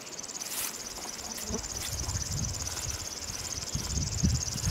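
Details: River warbler in Belarus, recorded on a birding tour: a continuous high, dry, rhythmic pulsing buzz like an insect's reeling, steady throughout, with low rumbling background noise and faint human voices.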